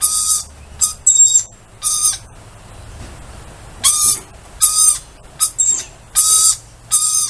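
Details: Lorikeets outdoors greeting a familiar person, giving harsh, buzzy, high screeches in short bursts, some doubled, with a quiet pause in the middle and a faint low hum underneath.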